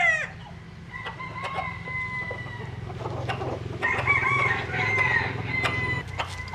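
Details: Japanese and Cuban bantam chickens sunbathing: long level crows with a rising middle section, partly masked by a loud, steady low motor hum throughout.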